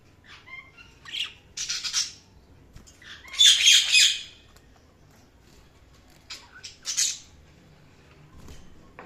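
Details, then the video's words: Scattered short high budgie chirps, one loud harsh chattering burst in the middle, then a few more brief squawks separated by quiet pauses. "budgies chirping sounds"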